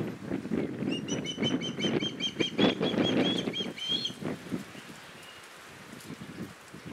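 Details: Osprey fledgling begging its father for a share of his fish, with the mother and a second fledgling flying nearby. Quick repeated high whistled chirps for about three seconds over heavy low wind buffeting, then fading to quiet.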